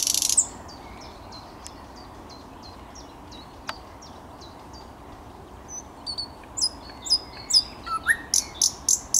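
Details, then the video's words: Thrush nightingale on 10 May 2021, opening with a loud burst, then a long series of soft, evenly spaced high whistles that builds into louder clicking notes and sharp strokes. "Słowik Szary"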